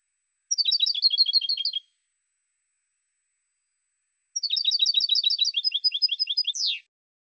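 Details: A 2016 European goldfinch song: two long, fast, liquid twittering phrases of high repeated notes, the second ending in a sharp downward buzz, with a silent gap between.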